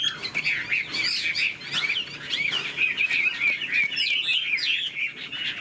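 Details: Chinese hwamei kept in a cage, singing with tail spread and tail-flicking display. Its song is a rapid, bubbling stream of short whistled slurs, clear and steady, with occasional sharp ticks.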